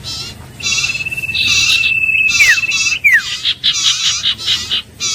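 A Common Iora gives a long, steady, high whistle that ends in quick downward slurs, over a busy background of harsh, buzzy chattering notes.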